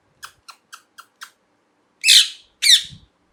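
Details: Parrot calling indoors: five short, evenly spaced chirps in quick succession, followed by two loud, harsh, broadband squawks about half a second apart, with a faint low thump at the end.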